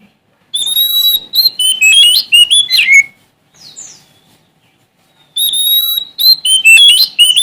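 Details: Oriental magpie-robin of Sumatra in full challenge song: rapid, varied phrases of sharp whistles, chirps and downward slurs, a pause of about two seconds, then another dense outburst.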